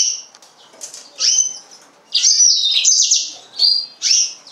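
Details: Yellow-fronted canary song in short bursts: high, buzzy, warbled phrases with trills and quick slurred notes, separated by brief pauses.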